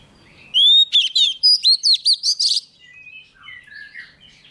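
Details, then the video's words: Young oriental magpie-robin singing vigorously as a wild bird approaches: a burst of rich whistles and quick chattering phrases for about two seconds, then softer scattered notes. "Choè than non lên hót cực sung khi bổi đến gần"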